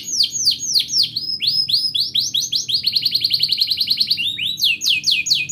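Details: Canary in extended gacor song, intended to teach young canaries and restart silent ones. Rapid swooping notes change into a fast even roll midway, then break back into bold descending slurs.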